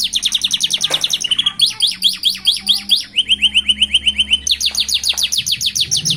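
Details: Canary fledglings beginning to sing boldly at a roadside, delivering fast repeated chirping tours that shift into rolling trills and steady ringing notes, with a faint low background hum.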